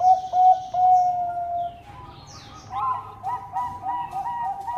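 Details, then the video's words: Bangkok zebra dove in full song, recorded to stir rival birds into answering; a smooth prolonged coo gives way to quick rhythmic rolling notes about two or three per second, with distant chirps above. "Perkutut Bangkok Gacor Bikin Lawan Langsung Nyaut Bunyi"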